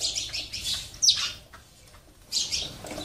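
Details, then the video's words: Sparrows visiting a water and food feeder at a home give bright, high chirps in three quick bursts: one at the start, one just after a second, and a last one near the end, with soft rustling between. "save sparrow birds, lovely birds enjoying water and food feeder in my home"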